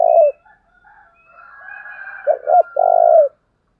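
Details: Spotted dove decoy giving "thúc" calls to provoke wild doves: the tail of one long coo, a stretch of faint higher whistles, then a full phrase of two short coos and a sustained, falling coo.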